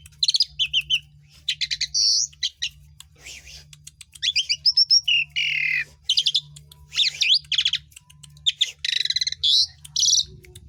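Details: Asian pied starling singing, used to stimulate other birds to sing: a varied run of harsh squawks, buzzy noise bursts, rapid clicking trills and short whistled notes, delivered in dense bursts separated by brief pauses, with a low steady hum beneath.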